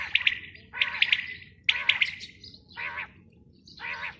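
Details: Female quail calling: five harsh, buzzy bursts in quick succession, each a dense rasping note, with a low rumbling background.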